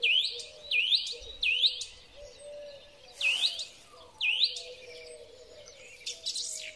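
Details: Song thrush in spring, recorded by phone: one ringing, upward-swept whistled phrase repeated five times in quick succession, the typical repeated-phrase pattern, with soft low cooing in the background.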